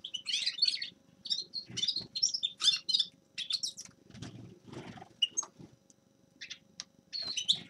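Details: Grey-crowned goldfinch singing a bright, twittering song of quick high chirps and trills in short bursts separated by brief pauses, over a faint low rumble in the background.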